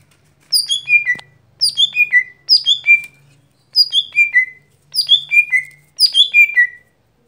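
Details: Lesser green leafbird (gotri) singing its daily song: six descending whistled phrases, about one per second, each a cascade of four or five clear notes dropping step by step to a held low note, with a faint hum in the first half.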